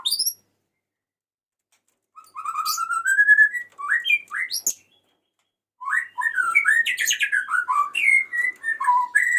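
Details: White-rumped shama male singing to call a female: phrases of rising whistles and sharp slurred notes separated by short silences, ending in a rich, rapid mix of varied whistles.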